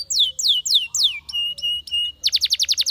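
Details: Spanish Timbrado canary singing a training song: four slurred falling whistles, a run of flat, evenly spaced steady notes, then a quick tight trill of sharp notes.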